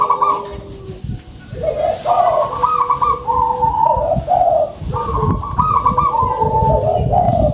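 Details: Zebra dove of a local strain, described as singing actively with a big voice: repeated low mellow cooing phrases with rolling, trilled notes, one after another with little pause, and a steady lower hum running beneath.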